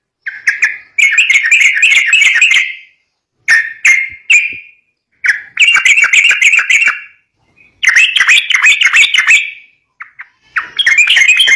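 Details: Yellow-vented bulbul fighting-style song for luring young birds to sing: loud rattling, chattering bursts of a second or two, separated by brief silences and short single notes.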